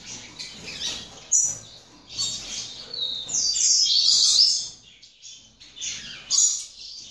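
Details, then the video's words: Captive-bred young double-collared seedeater from Brazil singing an uneven, scratchy high warble, with a louder buzzy burst midway, then scattered sharp chips. "FILHOTE DE COLEIRO"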